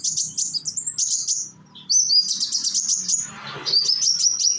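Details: Young sunbird, known as konin in Indonesia, singing to prompt other konin to sing; long runs of thin, high trilling notes broken by a brief pause and a rustle.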